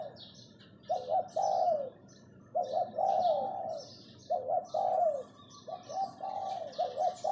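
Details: Spotted dove kept as a decoy, calling to lure: repeated groups of throaty, rolling coos, each phrase ending in a falling note, about every one and a half seconds, with faint high twittering of other birds.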